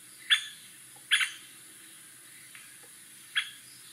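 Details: White-backed woodpecker giving three short, sharp, abrupt calls, the second one doubled, spaced irregularly over a few seconds against quiet background hiss.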